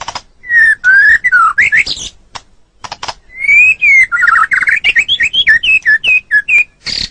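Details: White-rumped shama song used to tutor caged songbirds: rich, varied whistled phrases that swoop up and down, mixed with harsh buzzy notes and short rapid chips, delivered in fast bursts.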